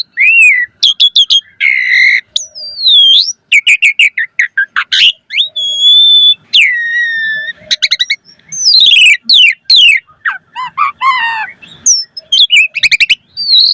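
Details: Asian pied starling in full, energetic song rich in varied phrases: clear rising and falling whistles, sharp clicks and rapid chattering bursts packed closely together with brief gaps, loud and unbroken by other sounds.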